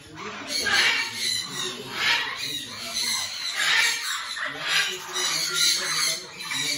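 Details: A Sulphur-crested cockatoo in an aviary gives harsh, raspy screeches, about one every second, five or six in a row, with faint voices in the background.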